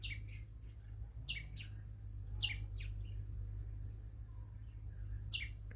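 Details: Small bird calling loudly: short, high, descending chirps repeated about every second, each a clipped sweeping note, against a constant low hum in the background.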